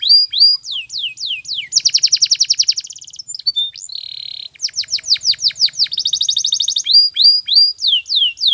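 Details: Canary training song heard each morning: a varied, dense song mixing down-slurred whistles, fast buzzy trills and rolled tours, sung almost without a break.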